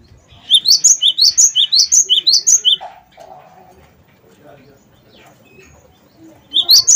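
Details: Cinereous tit of the wingko type singing energetically: a rapid run of bright, rising two-note whistled phrases, about three per second, then a pause with faint background murmur before the same ringing phrases resume.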